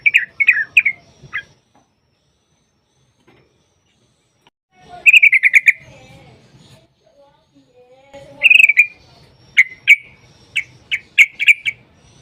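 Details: Yellow-vented bulbul song for luring other bulbuls: scattered short bursts of liquid chattering notes separated by long quiet gaps, ending with a string of sharp, evenly spaced notes over the final three seconds.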